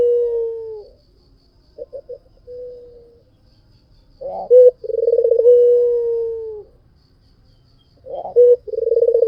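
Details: A white dove sings in full voice: a held coo fades out, faint short coos follow, then after a pause comes a loud clipped note, a quivering trill and a long sustained coo, with another start at the end.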